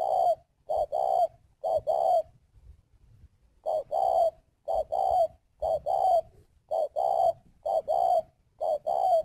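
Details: Cooing from a spotted dove used as a decoy: paired low hooting notes in quick phrases, a short pause after the third phrase, then steady repetition about once a second.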